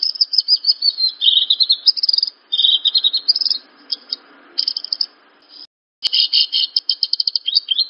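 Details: Horsfield's bush lark song for teaching other larks: long runs of rapid, high chirps and slurred twitters, with a brief silence before another quick chattering series.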